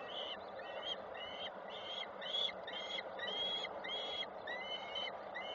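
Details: Falcons at a nest in Koszalin, Poland, on 7 June 2023: the male arrives with small prey, which the female takes and passes on. Harsh, nasal calls repeat about twice a second over steady background hiss.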